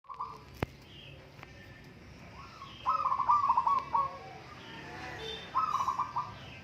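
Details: Local zebra dove in a singing contest: two bursts of rapid rolling cooing notes, each about a second long, separated by quiet, with faint background sounds.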